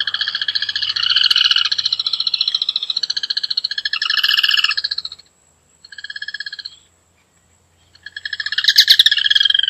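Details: Rufous hornero song in layered bursts: dense, rapid trills at several pitches with two brief pauses. A faint low hum runs underneath.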